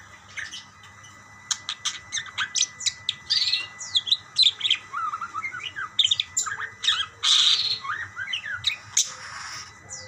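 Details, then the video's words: Several budgerigars chattering back and forth: dense, fast chirps, clicks and warbled whistles, quiet at first, then a steady busy flock chatter with occasional harsh squawky bursts. "burung parkit bersautan"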